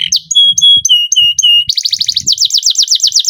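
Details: Canary song meant to prompt other canaries to sing: several steady whistled notes of even pitch, each followed by a short pause, then a rapid rolling trill of repeated sweeping notes.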